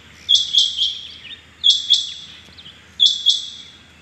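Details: Morning calls of rain quail, recorded 6 July 2021: three crisp phrases, each of two or three clipped high notes, spaced roughly one and a third seconds apart over a quiet background.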